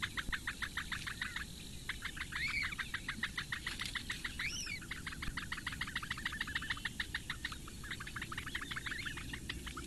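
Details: Eurasian bittern chicks, four in a Latvian lakeside reedbed nest, begging at breakfast from the female, 15 May 2017, webcam: rapid ticking series with short gaps, and two arched, rising-falling whistled notes over it.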